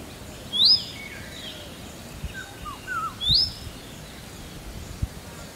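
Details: Indian robin, Bengali name kalishyama, calling: two sharp rising whistled notes about 2.7 seconds apart, with a few softer lower chirps between them, over steady low rural background noise.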